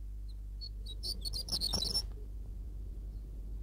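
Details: A horned lark in high mountains above the treeline in Bulgaria gives a brief burst of high, thin, tinkling notes, jumbled together over about two seconds, above a low steady hum.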